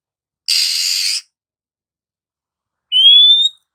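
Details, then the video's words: Female Oriental magpie-robin luring lazy males to sing, giving a long harsh raspy burst followed after a pause by a single bright rising whistle. "SIULAN MAUT DARI KACER BETINA . PANCINGAN AMPUH KACER LELET DAN MALAS BUNYI"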